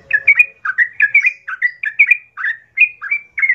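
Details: Song of a sooty-headed bulbul played as a fighting lure for other bulbuls: rapid bubbly two-part whistled notes, each with a dipping then rising inflection, repeated in a quick, slightly irregular chain.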